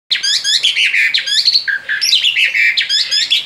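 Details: A male Asian pied starling singing actively outside its cage: a fast, unbroken run of bright whistles, squeaky harmonics and chattering notes, with barely a pause between phrases.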